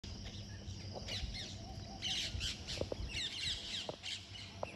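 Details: A flock of parrots in the morning: harsh, overlapping high squawks come in bursts, with a few sharp clicks and a low background rumble outdoors.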